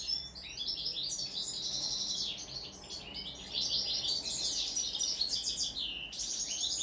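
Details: Linnet during its first table-singing training, steady high twittering with quick repeated chirps and trilled phrases over a faint background hiss.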